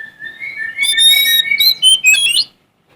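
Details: Oriental magpie-robin, a male Sumatran bird singing to challenge rivals: a long steady whistle gliding slightly upward, then a burst of bright, rich, varied whistled phrases with sharp slurred notes.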